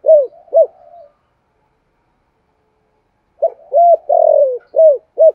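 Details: Spotted dove calling to provoke other doves: two short arched coos and a murmur, a silent gap, then a fuller series of hollow coos including one long descending note.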